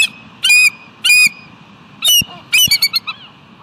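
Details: Bald eagle at West End, sitting on the nest rock on a July 2018 afternoon and making call outs: loud, shrill, drawn squeals in separate bursts, then a run of quick, thin chittering notes, with faint low knocks between.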